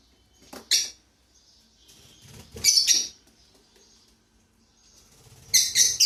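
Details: Lovebirds at home starting their day utter a few harsh, high chirps spaced seconds apart, the last a rapid cluster of squeaks, with soft rustling from movement between calls.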